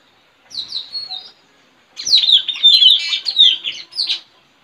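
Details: Trained decoy Straw-headed bulbul singing in front of a village house on 4 April 2021, in a contest against a friend's bird, to lure wild birds; bright chirpy notes slurring downward, one short burst, then a longer dense run of overlapping chirps.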